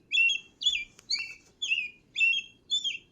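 An American Robin sings clear, whistled, rising-and-falling phrases, about two per second, in a steady caroling pattern over a low background hum.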